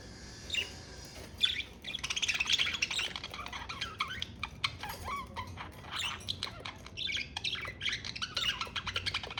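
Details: Budgerigars chattering: continuous dense warbling of rapid clicks, buzzy notes and quick whistled squeaks, rising and falling without pause.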